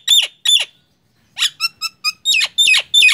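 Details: Nias hill myna calling with two loud falling whistles, a pause, then a short series of clipped ringing notes and more strong sweeping calls.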